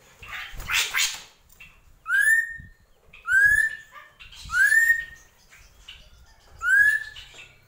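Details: Srigunting krantil drongo in gentolang song: a harsh rasping note followed by four clear rising whistles spaced about a second apart, faint low knocking sounds beneath.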